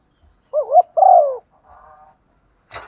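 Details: Female spotted dove lure call: one two-part coo, a quick wavering hoot then a longer falling hoot, followed by faint murmur and a brief rustle.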